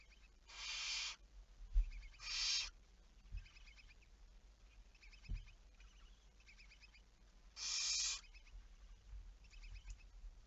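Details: Three loud, rasping barn owl hisses, recorded at 23:34 on 11 May 2019. Soft repeated ticking chatter fills the gaps, with occasional low knocks.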